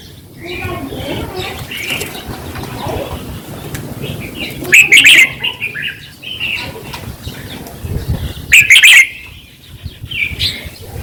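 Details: Red-whiskered bulbul song for exciting caged birds: quiet chattering notes, then two loud, cheerful warbled phrases about four seconds apart, each followed by softer chirps, with a faint background hiss.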